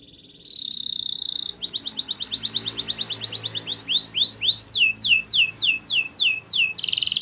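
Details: Training song of a Belgian canary: a buzzy high phrase opens, then a long series of sweeping notes that slow into separate, clear, down-slurred whistles about three per second, over a faint low hum.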